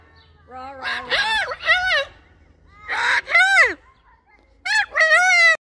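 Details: An excited Moluccan cockatoo (Cacatua moluccensis) outdoors gives three loud bursts of nasal, voice-like calls, each rising then falling in pitch, over about five seconds above a faint low hum.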